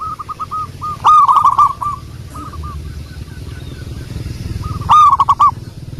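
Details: Local wild zebra dove calling as a lure. Rolling soft coo phrases broken by two loud, harsh bursts of rapid notes about four seconds apart. Faint coo fragments fill the gaps over low hum.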